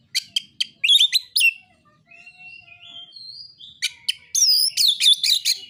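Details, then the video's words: Oriental magpie-robin in narung fighting-song style, used to goad opposing birds. Clipped harsh notes open, then soft rising whistles fill a quiet middle stretch, and a dense burst of loud, sweeping whistled phrases follows. "KICAUAN KACER NARUNG"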